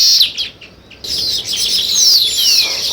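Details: High sparrow chirps break off into a short quiet gap, then resume as a busy chatter with a clear descending whistled note near the end.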